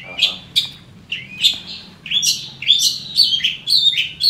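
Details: Captive Long-tailed Shrike, about eight months old, described as in a strange condition: a busy stream of sharp chirps, short slurred whistles and scratchy notes, several each second, with low murmuring voices in the background.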